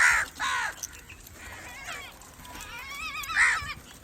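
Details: Crow calls used to attract crows: two harsh caws at the start, then wavering, warbled notes and a final loud caw, with a quieter outdoor background.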